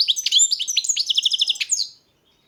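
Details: European goldfinch song, a dense two-second burst of quick liquid twitters and chirps, high-pitched and rhythmic, ending abruptly into silence.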